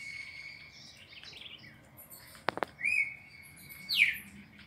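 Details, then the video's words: Red-crested cardinal singing the classic four-note training sequence for caged birds: a long steady whistle, two sharp clicks, another level whistled note, then a quick downward-sliding whistle, over a soft hiss of background noise. "ÁUDIO PARA ENCARTE DO CARDEAL SEQUÊNCIA MÁQUINA DE CANTO 4 NOTAS CLÁSSICO"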